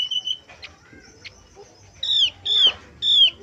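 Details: Male brown-chested jungle flycatcher song in a flute-like style: a level whistle, then three loud, clear, downslurred whistles repeated about every half second.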